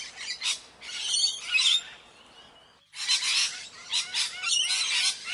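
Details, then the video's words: Indian parrots screeching in two noisy bouts split by a short lull, with harsh overlapping squawks and a few sharp squeaky notes. "Indian Parrots"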